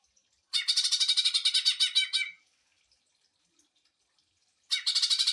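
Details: Greater green leafbird in its 'sewing machine' burst style, meant for tutoring and stirring other birds: a harsh, fast rattling chatter lasting nearly two seconds, a silent gap, then another rattling burst starting.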